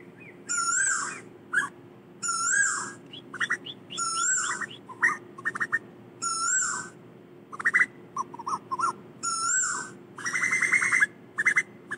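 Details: Calls of an Asian koel gathering its flock: repeated loud whistled phrases that swell and fall, mixed with brief clipped notes and a rapid bubbling series near the end, over a low steady hum.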